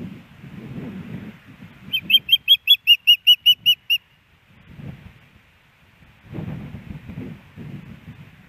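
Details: Female osprey at a nest in Hellgate Canyon, Missoula, Montana, on September 10, 2018, calling for fish from her mate, caught by a nest camera. About ten short, high, whistled chirps come in a quick even run over two seconds, with low rumbling noise around them.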